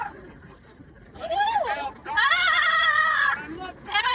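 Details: Pet yellow-naped amazon parrot vocalizing during a commute: long, loud, harmonic nasal wails with wavering pitch, sustained for over a second, after a quieter start with a dipping cry.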